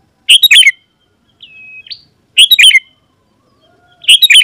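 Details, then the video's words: Energetic sooty-headed bulbul song for calling wild rivals to respond. Loud gurgling chatter bursts alternate with a softer level whistle that flicks upward, forming a repeated two-part pattern. "Suara Burung KUTILANG GACOR Memanggil Lawan Burung Kutilang Liar Auto Nyaut dan Mendekat"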